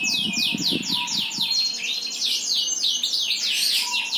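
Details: Bird pouring out a steady run of fast, downslurred high notes repeated several times a second, with faint low murmuring in the background.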